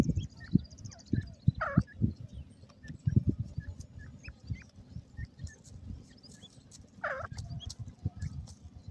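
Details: Francolin chicks, described as golden and grey francolin young. Two drawn-out, falling, harmonic calls stand out near the start and end, with faint short peeps scattered between. Steady low rumbling noise runs throughout.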